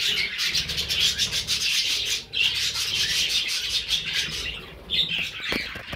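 Budgerigars keep up a constant, dense warbling chatter of fast, high chirps and scratchy squawks, with many birds calling over one another throughout.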